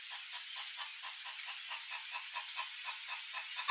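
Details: Soft, low coos from one of a pair of ruddy ground doves (Columbina talpacoti), repeated quickly about five times a second in an even series, over a steady background hiss.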